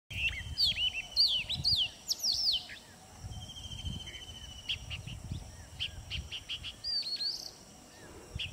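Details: Oriental magpie-robin singing to his mate to impress her. Rich, varied whistles are crowded into the first three seconds, followed by sparser sweet notes and a long steady whistle, over constant hiss and low rumbling background noise.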